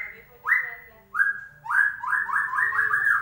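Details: White-rumped shama lure song for a bird that has gone silent: a sustained whistle, then a series of sharp upward-swooping notes speeding into a rapid run of repeated whistled syllables.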